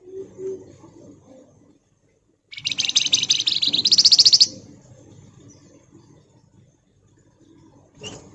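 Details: Pied fantail in rapid nyerecet song for luring and tutoring: a two-second run of harsh, high chattering notes that tightens into a loud, fast, ringing trill, then quiet low background with a faint later chirp.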